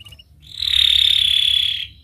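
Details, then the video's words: Singing canary used as a lure for young canaries learning to sing: a single sustained, steady, buzzy rolling trill lasting over a second, rising in loudness and fading out. "Kenari Gacor speed Rapat WIT Wit Tajam Cuit cuit ngeroL, pancingan kenari PAUD BELAJAR BUNYI"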